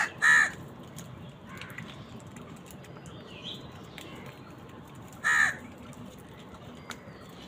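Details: A crow calls during a fight with wild birds over food: two short, loud caws about five seconds apart, with quiet rustling and faint background calls between them.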